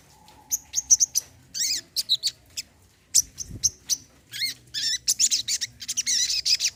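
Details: Brown-throated sunbird (kolibri kelapa) song for therapy of a non-singing bird: rapid run of high sharp chirps and twittering sweeps, nearly continuous toward the end, one low thump midway.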